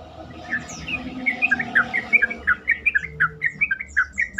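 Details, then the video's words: Lure recording of a sooty-headed bulbul, meant to make other bulbuls reply and sing more eagerly: a lively run of short, clear, bubbling notes, roughly three or four per second, repeated steadily throughout with a faint low hum behind. "pancingan trucukan terkomplit sangat bagus untuk membuat trucukan lain lebih gacor."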